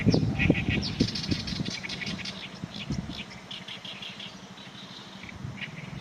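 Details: Oriental reed warbler singing, unedited and with no background music: harsh, chattering notes in quick series during the first three seconds, then fading to faint scattered notes, over steady low wind rumble.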